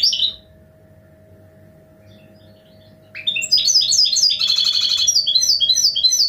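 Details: Goldfinch hybrid song: a short high chirp, about three seconds of quiet, then a dense twittering passage of rapid rising and falling notes with a rattling buzz, continuing to the end.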